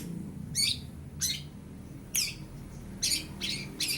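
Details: Harsh, buzzy squawks in short bursts, six spaced notes over four seconds, from a young long-tailed shrike imitating lovebird and house sparrow; beak not fully black, plumage changing from spotted; low hum behind.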